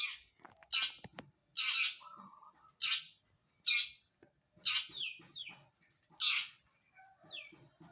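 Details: Long-tailed shrike taking a morning bath, giving loud, harsh, raspy bursts at irregular intervals of about one second, with softer scratchy notes between them and a brief low hum.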